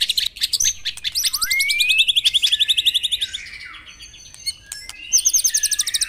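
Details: White-rumped shama song meant to get caged birds singing in the morning: fast rhythmic trills that sweep upward, a long glide, quieter warbling, then another quick repeated trill burst.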